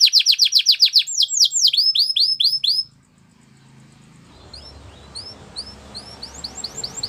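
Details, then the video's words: A canary (Belgian canary, presented as Gloster canary song for training young canaries) sings fast rolled trills of bright, high notes, then quieter scattered chirps over a soft background hiss. "Gloster Canary Training | Canary Bird Sounds"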